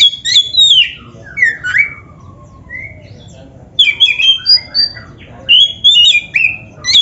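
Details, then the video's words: Black-breasted Oriental magpie-robin song as a lure for caged kacer: bright whistled phrases, a rising slur, a quiet gap of about two seconds, then sharp whistles and warbles. "STEL SUARA INI‼️BIAR KACERMU MAKIN GACOR | Sekali Dengar Langsung GOCOR❗- Masteran Kacer"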